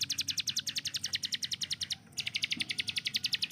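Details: Hill prinia, a tutor bird for training songbird speed, rattles off quick high staccato notes in a steady stream, stops for an instant, then continues the same rapid-fire pattern to the end.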